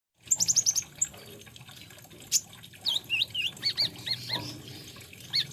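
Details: Olive-backed sunbird, locally called kolibri ninja or konin, singing: a quick burst of high chirps, then scattered sharp notes and a run of upslurred, looping whistles near the top of hearing.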